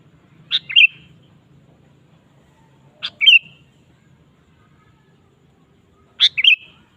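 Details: Energetic sooty-headed bulbul song serving as a lure for kept birds: three short phrases about three seconds apart, each a sharp high note followed by a bubbly, downward-slurred whistle; faint low background noise.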